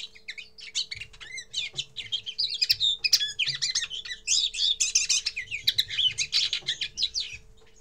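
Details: Common linnet singing its first song: a fast, varied twittering run of chirps, trills and short whistled notes, dense and continuous for most of the stretch, with a steady low electrical hum underneath.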